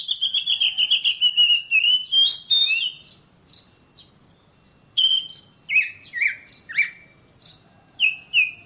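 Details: Oriental magpie-robin (kacer) masteran song to make caged birds sing: a fast stuttering series of whistled notes sliding gradually down, a silent pause, then spaced downward-swooping whistles repeated about every half second.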